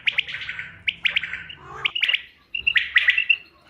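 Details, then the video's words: Bater, the common quail, giving its hunting-lure call on 5 June 2025: sharp chirped notes in quick clusters, some clear whistled tones, a break near the middle, and a faint low hum underneath. "bater ki awaz shikar k liye behtareen awaz quail bird sounds for hunting بٹیر کی آواز"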